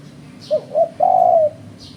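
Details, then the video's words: Lure call of a spotted dove for bird trapping: two quick soft coos leading into a prolonged smooth coo, with occasional faint high-pitched chirps nearby. "Suara Burung Terkuku"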